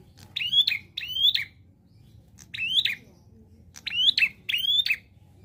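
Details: Prinia song in paired bursts: doubled sharp, slightly buzzy chirps with rising inflections, repeated in three groups over five seconds.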